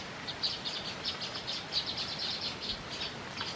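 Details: Baya weaver with chicks, a sparrow-sized weaver: a busy stream of short, high, squeaky chirps in quick clusters, steady throughout against a soft hiss of outdoor noise.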